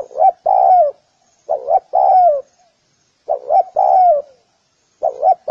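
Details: Spotted dove, clearly recorded for dove training, repeating a low hooting phrase: two brief notes and then an extended downward coo. Four phrases come in close succession.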